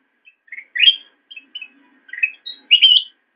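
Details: Black-crested bulbul song recorded as a master for cage-bird training: soft, short opening notes build into varied rising warbles and end in a loud, rich, slurred phrase.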